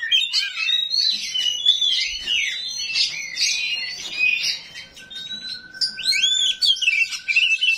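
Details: Oriental magpie-robin, 'rawit' type, with its harsh 'isian kasar' song that makes other magpie-robins respond: busy scratchy warbling and slurred whistles, a steady thin tone running underneath through the second half.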